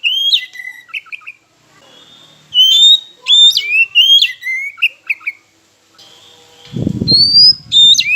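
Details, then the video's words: Oriental magpie-robin singing as a lure meant to stir rivals into song: clear sliding whistles and abrupt upward flicks in short bursts, with a low thud near the end. "Pancingan KACER Macet Bunyi, Sekali Dengar Langsung Emosi!"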